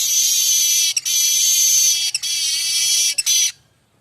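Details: Streaked weaver (manyar kembang) song used to train magpie robins and other songbirds: a sustained harsh buzzing wheeze broken by three brief gaps, then silence.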